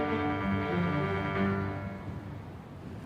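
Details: Sustained orchestral-style music with held low tones that fades slightly toward the end; no animal voices are present.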